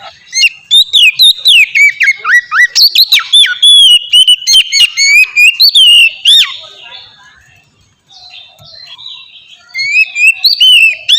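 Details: Oriental magpie-robin singing in the clear ngeplong style, used as a lure to get young magpie-robins singing quickly; loud fast run of varied whistles, slurs and sharp chips, pausing near the eighth second, then resuming.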